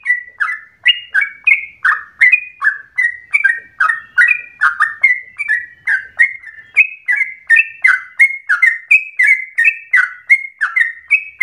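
Yellow-vented bulbul giving a fast, bubbly run of short liquid chirps and slurred whistled notes, about three per second, with no other sounds.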